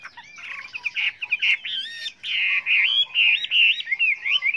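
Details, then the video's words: Chinese hwamei pouring out a varied song for trainers' birds. Continuous loud, fluty whistles twist up and down, with a few harsher notes mixed in. "chim họa mi hót hay"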